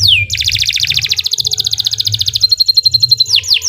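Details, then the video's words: Canary song used as a master recording for training birds: a swooping whistle, then a long, very fast buzzy trill of evenly repeated notes, ending in a steady thin tone and a few falling whistles. "Kicau Burung Kenari 106 II GACOR PANJANG Cocok untuk Masteran Super"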